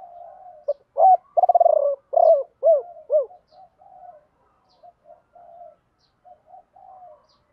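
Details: Spotted dove used as a decoy to call in wild birds, singing the 'ba hậu' or 'bổ ba' style: a loud trilled coo, then three falling hoots, followed by faint scattered soft notes.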